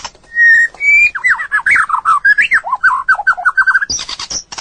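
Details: White-rumped shama singing a training song meant for other birds to learn: a long clear whistle, then a fast run of looping, warbled notes rising and falling, ending in a harsh high burst.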